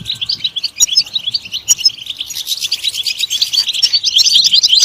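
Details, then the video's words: European goldfinch singing a varied, hurried twitter of liquid and buzzy notes that grows louder and busier toward the end. "Comprehensive guide to stimulating and singing the goldfinch"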